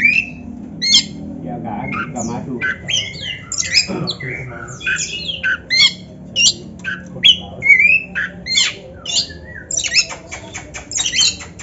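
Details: Kacer (Oriental magpie-robin) practice song: scattered sharp squeaks, clicks and brief whistled slurs in an uneven sequence, with a low hum underneath at the start.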